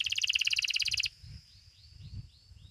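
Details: Belgian canary, a domestic bird, singing in the seventh edition of a song contest: a fast, even, pulsed trill lasting about a second, then faint thin downslurred notes over low background rumble.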